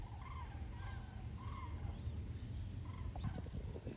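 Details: Cranes crossing the Wetterau in Hesse on southward migration, 22 October 2022, recorded at Bad Nauheim; distant trumpeting calls, some rising, repeated at short intervals and partly buried under constant low rumble and faint clatter near the end.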